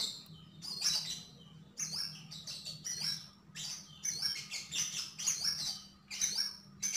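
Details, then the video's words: Javan grey-throated white-eye in full song: a rapid series of high, sharp chirped phrases, each under a second, separated by brief pauses, over a steady faint low hum. "Sogon sogok ontong gacor dan ngobra"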